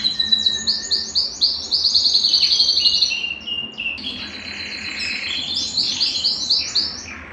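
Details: Belgian canary singing to stimulate males and bring females into breeding condition: fast trains of high, repeated chirping syllables, a rapid buzzy trill in the middle, then more quick rolling tours rising toward the end.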